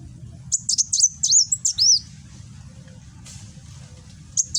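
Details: Kolibri Wulung sunbird recorded by phone in Gresik, East Java, giving its 'nembak' song: a rapid run of high, piercing chips and slurred whistles lasting about a second and a half, then a pause and one more note, with low background hum.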